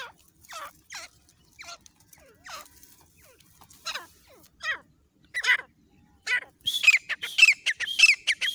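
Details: Partridge call used to lure birds for hunting in jungle: soft, spaced falling notes building to a louder, rapid series of rasping squawks near the end.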